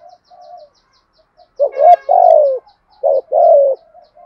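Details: Spotted dove giving the 'giọng thổ' thúc gù call, meant to make wild doves call persistently in reply; male and female birds. Quiet low coos, then two strong phrases of a short rising note and a husky falling coo.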